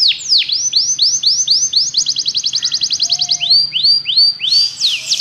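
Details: Canary training with a Belgian canary: varied song of arching swoops, a fast trill section and a low whistled note, with extra faint high chirps in the background.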